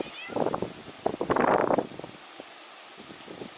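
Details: A black drongo on a remote small hill in the middle of a lake at Agar Malwa gives harsh, nasal mewing notes like a house cat, two quick bursts and then a longer wavering one, with faint quieter calls after.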